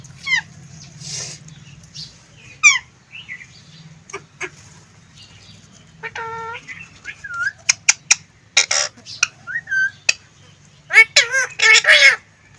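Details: Talking green ring-necked parrot mixing sharp downslurred chirps, short whistled notes and wavering speech-like phrases, becoming busier and louder toward the end with a cluster of rapid harsh syllables.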